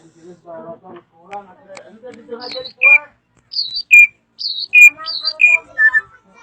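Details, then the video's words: Drongo singing a varied, loud sequence: low chattering notes at first, then clear whistled notes that drop in pitch, alternating high and mid tones in quick succession. "Kicauan Unik Srigunting Gacor Suara Kencang Bervariasi"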